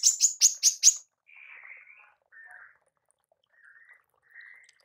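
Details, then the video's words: Female manggar call used for training songbirds: a short run of five quick, sharp, buzzy notes, followed by several faint, softer chirps. "TEMBAKAN MANGGAR BETINA"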